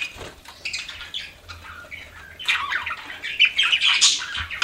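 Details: Pet budgies chirp softly at first, then louder squawky warbles rise in the second half over a faint low hum.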